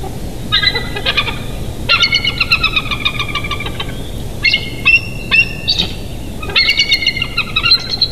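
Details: Bald eagle pair at their Big Bear Valley nest, caught by a live nature cam on 8 July 2023 around 07:57; repeated strings of shrill, quick, chittering notes, some bursts rising and ringing, over faint steady hum.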